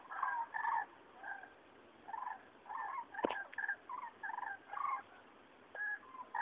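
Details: Migrating flock of cranes over Rochechouart, France, mid-February 2013, a passage announcing spring: a string of short rolling, bugling calls from several birds, with brief gaps and one sharp click near the middle.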